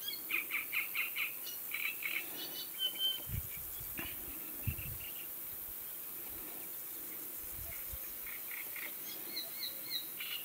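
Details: Red-backed shrike in the Sarmatskaya river valley, Neklinovsky district, Rostov region, giving short, harsh chacking notes in quick clusters, with a few thinner higher notes late on and low wind thumps.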